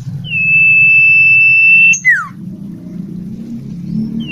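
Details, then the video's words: Ashy tailorbird singing, used as a training tutor song for magpie-robins: a long, steady high whistle, then a quick, sharply falling note, with the next phrase just starting, over a low traffic rumble. "burung sirtu cipu gacor"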